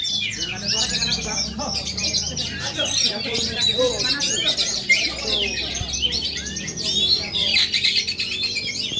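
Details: Oriental magpie-robin from Aceh, Indonesia, performing: a dense, continuous high warbling of sweet whistles, trills and chattering notes that overlap throughout, with a faint low hum underneath.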